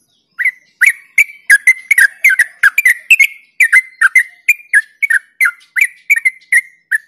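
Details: Clean recording of yellow-vented bulbul song used to lure and stimulate other bulbuls: an unbroken series of bubbly, liquid notes with clicky onsets and short whistled tails, about three per second.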